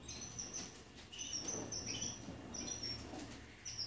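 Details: Young male canaries bred in 2019 are housed in an Anapa aviary with six adult tutor males and twenty-eight pupils learning song. Thin, high chirps come in bursts, with a few lower warbled notes between them and soft background noise.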